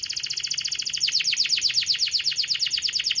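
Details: Singing canary, recorded as a lure to get lazy canaries to sing: a rapid, buzzy high trill of about four notes per second that shifts into sharper, downward-sweeping notes partway through.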